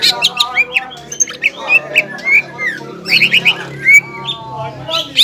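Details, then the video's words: Caged greater green leafbird in full excited song, styles known as ngobra and jamtrok: rapid series of sharp squeaky upslurred whistles and harsh squawks, tumbling in quick bursts with short pauses. "CUCAK IJO GACOR INI NGOBRA DAN JAMTROK"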